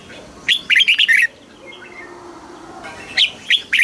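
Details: Red-whiskered bulbul song from Thailand, in southern master phrasing, played to excite caged birds and teach chicks. One rapid, bubbly phrase of bright notes, a quiet gap, then a few separate sharp notes.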